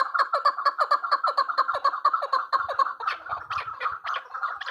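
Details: Female chukar partridge calling: a steady run of clucking chuk notes, about two per second, low and rhythmic, shifting to looser, busier notes near the end.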